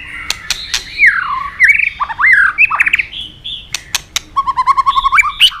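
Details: Song of a white-rumped shama meant to teach other shamas: sweeping downslurred and upslurred whistles, varied squeaky phrases, then a fast string of evenly repeated notes, with sharp clicking sounds throughout.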